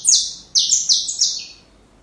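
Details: Brief burst of saffron finch song for young birds: four loud, high, buzzy downward-sweeping notes given in quick succession, the last one trailing off.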